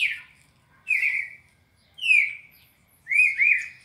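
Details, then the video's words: Captive red-crested cardinal from Brazil giving the classic four-note training song: bright whistled notes sliding steeply downward, then a final doubled note, spaced about a second apart in a quiet setting. "ÁUDIO PARA ENCARTE DO CARDEAL SEQUÊNCIA MÁQUINA DE CANTO 4 NOTAS CLÁSSICO"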